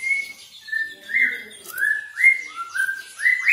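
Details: Grey-cheeked bulbul in rapid 'speed rapet' song: short clear whistles, several rising sharply at the end, strung together at a quick, uneven pace.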